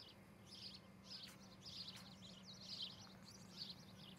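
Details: At a nest in Charlo, Montana, an osprey gives a quick string of high, scratchy chirps on a July 2018 morning, recorded by a nest camera; constant low hum runs underneath.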